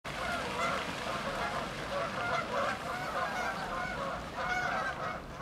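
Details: Canada geese taking off as a flock: a dense, continuous chorus of overlapping nasal honks from many birds, with strings of brighter calls near 0.7, 2.4 and 4.6 seconds, over a steady low rumble.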